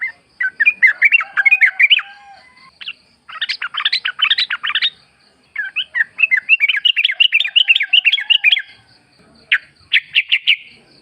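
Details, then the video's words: Sooty-headed bulbul, a forest bird used as a lure to set other birds singing and answering. Lively chattering phrases of quick repeated notes arrive in bursts, with short pauses, against a quiet background. "pancingan trucuk gacor ngalas full suara alam"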